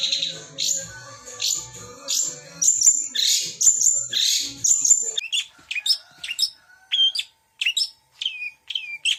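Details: Long-tailed shrike (cendet) song with mixed mimicry: harsh, buzzy high notes at first, then a run of short whistled chips and sharp downslurred notes with brief pauses between them.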